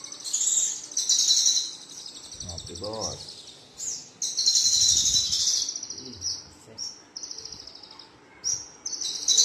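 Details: Song of a male Javan bush lark: high, rapid, buzzy trilled phrases held for a second or more, with brief gaps. A low human voice is heard briefly in the background.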